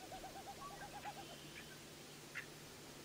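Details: Wilson's Snipe display flight in Newfoundland and Labrador: winnowing made by air rushing over modified outer tail feathers, a quick hollow pulsing hu-hu-hu of about ten beats in under a second, volume shifting as the bird moves; faint chirps and hum follow.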